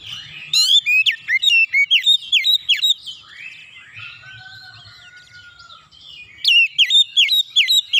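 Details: Oriental magpie-robin singing 'nembak' with 'bongkar isian': a long run of loud, sharp, bent whistles, then a lull holding a faint, drawn-out whistle, ending with another fast burst of ringing notes.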